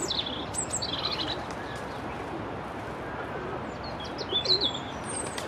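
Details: A European robin singing beside the Long Water gives two short bursts of thin, high, warbling phrases with a pause between, over a steady background rush of water or distant traffic.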